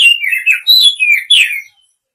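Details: Female Oriental magpie-robin chirping to the male, a quick string of five or six loud, slurred chirps that swing up and down, each note bright and whistled, ending abruptly.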